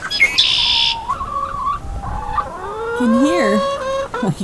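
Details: Backyard hens kept in their coop on a mild, rainy early-spring day give drawn-out, wavering squawks and clucks under a woman's voice; a brief buzzy call near the start is possibly one of the early-returned red-winged blackbirds.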